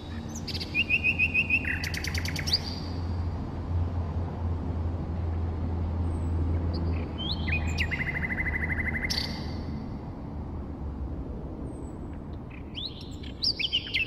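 A nightingale sings in varied phrases: sharp rapid chattering, a rich trilled series of repeated notes, and high thin whistles, over a steady low traffic rumble.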